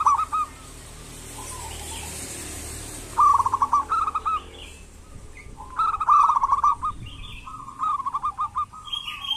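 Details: Local zebra dove in full voice, played as a lure so lazy doves begin calling: after quiet soft coos come repeated bursts of rapid, bubbling trilled notes. Faint higher chirps from other birds are heard between phrases.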